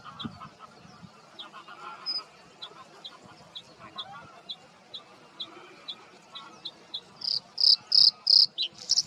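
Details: Bluethroat male, song defending his territory in reeds and bushes, known for imitating other species. A long, steady series of soft high ticks speeds along evenly, then bursts into loud, ringing, repeated high notes at the end.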